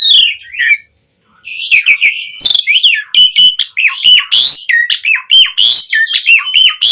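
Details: Vigorous Asian pied starling song used as a prompting recording: opens with a scratchy note and a held thin whistle, then breaks into fast, chattering phrases of harsh rasps and slurred whistled notes.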